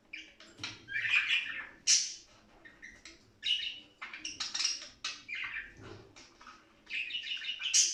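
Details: Budgerigars in lively song, a sound for prompting budgies to sing, play and mate: quick scratchy chirps and warbles in uneven bursts, with sharp high squeaks near the start and end.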